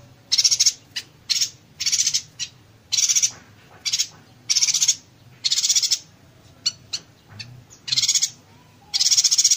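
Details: Rapid-fire 'konslet tembakan rapat' song of a yuhina, used to tutor magpie robins and green leafbirds: many short, high, rattling trill bursts with single sharp chips between them and a low background rumble.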